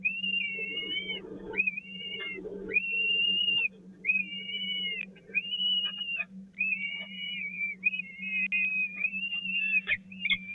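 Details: Peregrine falcon chicks at the Catharinakerk nest, 16 April 2019, crowding toward the feeding spot while the smallest is passed over: drawn-out arching whistled whines, repeated about once a second, over a steady low electrical hum.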